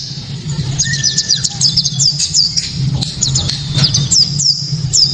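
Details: Sharp, clear white-eye 'tembakan' burst song, meant to provoke other white-eyes into singing: quick high chirps grouped in short runs, a brief flat whistle early on, steady low hum throughout.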